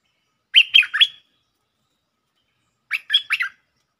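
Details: Bulbul lure song, a lively style with doubled notes. Two short phrases of three loud, liquid, slurred chirps follow each other about two seconds apart, and everything else is quiet.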